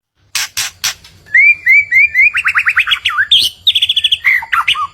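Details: White-rumped shama song used to provoke a neighbour's bird, mixing harsh buzzy notes, slurred whistles near mid pitch, then rapid rhythmic trilled series and fast repeated chips, varied and loud throughout.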